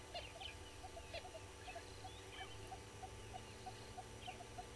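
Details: Red-billed hornbills below a waterhole camera at Gowrie dam, Djuma Game Reserve, Sabi Sand Wildtuin, South Africa, at 06:14 on 15 April 2022. They give a steady series of short, hollow clucking notes, about three per second, over a constant low hum, with faint birdsong higher up.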